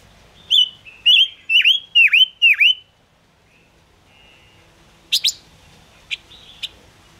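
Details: Silver-eared mesia song played to lure birds to traps: five clear whistles swooping down and rising again, about two per second, then a pause and several sharp high chips.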